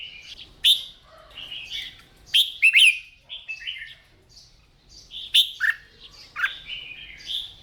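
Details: Caged red-whiskered bulbul practising its morning song; varied sharp chirps and slurred, jumpy whistled notes scattered through, some loud accented peaks.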